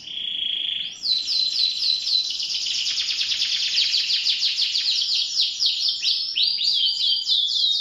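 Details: A canary opens with a steady whistled tone, then launches into a loud, rapid rolling trill of high chirps about four per second.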